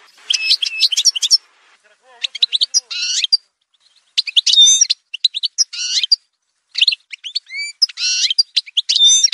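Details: Algerian goldfinch singing in a song montage: rapid, high-pitched tinkling phrases with buzzy rattles and clear upslurred whistles, delivered in bursts of one to two seconds separated by short pauses.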